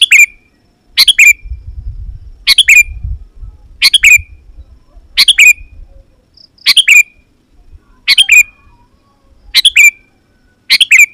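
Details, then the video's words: Loud Sooty-headed Bulbul singing to challenge rivals and bring wild birds near: nine brief liquid chirp phrases, each ending in a short slide, spaced over eleven seconds; a soft low rumble early on. "Suara Burung KUTILANG GACOR Memanggil Lawan Burung Kutilang Liar Auto Nyaut dan Mendekat"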